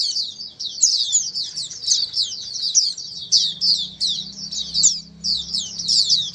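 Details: A crowd of singing Oriental white-eyes, played so a white-eye that has stopped singing answers back: clear, high, slurred twitters tumbling in lively bursts with brief dips, and a quiet low hum beneath.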